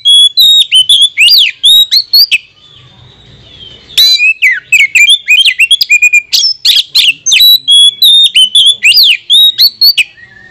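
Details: Oriental magpie-robin lure song meant to provoke rival birds: loud, dense strings of sharp whistles, slurred upward and downward sweeps and clicks, with a brief hush after two seconds before the fast varied phrases resume.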